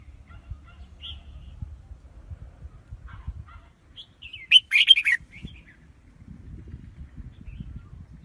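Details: Red-whiskered bulbul delivering one loud, rippling phrase of cheerful chirps midway, framed by quieter whistled notes, with low rumbling background noise before and after.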